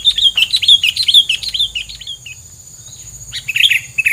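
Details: Songbird filler song of the kind kept to outsing rivals: rapid, high chirped notes repeated in a quick run, a pause, then more sharp chirps, over a steady high insect-like hum.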